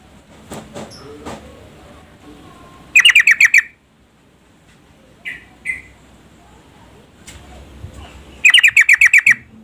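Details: Female yellow-vented bulbul calling the male to make him sing: two rapid bursts of about eight harsh, chattering notes each, separated by a few seconds with a couple of soft single notes between.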